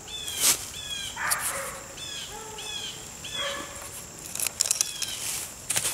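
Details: A bird thought likely to be a Blue Jay, heard at an outdoor camp, gives a run of clear, high calls in short bursts, some with lower tones, over sharp knocks and rustling from nearby handling.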